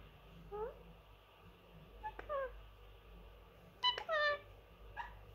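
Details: Pet male Indian ringneck parrot, three years old, kept indoors, which says many phrases. Several short harmonic vocalizations with rising, bending notes come in scattered bursts, the loudest around the fourth second, over a low room hum.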